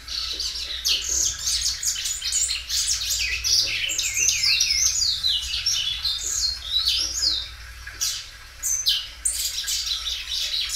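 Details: Caged Belgian canary singing loudly, stretching its song repeatedly: dense, high, continuous warbling of buzzy trills and rising-falling whistled notes, with a short pause near the end before the song resumes.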